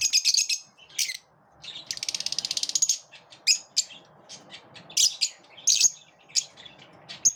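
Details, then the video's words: Lovebirds chirping in the morning: sharp, high chirps and squeaky notes, with one rapid rattling burst of evenly pulsed clicks in the middle, then scattered bright tweets in quick succession. "Love birds chirp beautifully in the morning"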